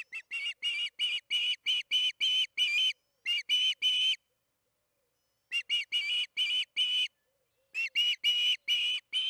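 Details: Osprey at the Charlo nest during evening feeding, June 21, 2019, 8:15 pm MDT, gives repeated bursts of high, piercing whistled chirps, about half a dozen per burst, separated by short silences.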